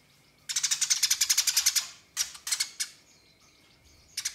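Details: Eurasian tree sparrow in fighting mood, chattering to call rivals: a fast run of about fifteen sharp, high chirps over roughly a second and a half, then a shorter burst of three or four and a final brief trio.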